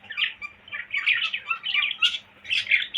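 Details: Pet cockatiel producing a rough, squawky whistled chatter in pulses about every half second, slightly noisy, with a faint low hum in the background.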